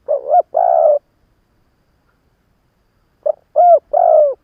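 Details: Experienced decoy Spotted dove cooing to goad wild rivals: two bursts of low, slightly falling coos, each a quick note leading into longer ones, separated by a two-second pause.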